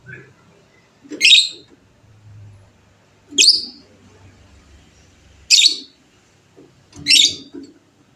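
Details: Fighter lovebird, prized for a long ngekek chatter, here giving four loud harsh screechy bursts, each under half a second, spaced about two seconds apart, with faint soft clicks and low rumbles between in an otherwise quiet setting.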